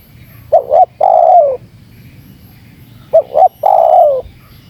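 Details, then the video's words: Luring call of a spotted dove meant to stir wild doves into reacting. Two phrases, each a short doubled warble followed by a drawn-out coo sliding gently downward, separated by a pause with a faint low rumble. "Suara Terkukur Menekan Rapat Lawan Pemancing EMOSI Terkukur liar"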